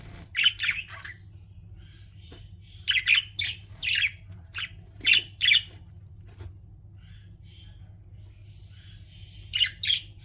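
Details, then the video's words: Pet budgies giving short, sharp, squawky chirps, often in pairs, spaced by quiet stretches, over a faint low hum. "CUTE PET BUDGIES CHIRPING"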